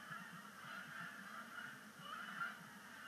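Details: Canada geese at Sapsucker Woods Pond during migration, arriving at sunset on 5 October 2019 for the first splashdown of the season; a dense, overlapping chorus of nasal honks from many birds, steady throughout with no clear gaps.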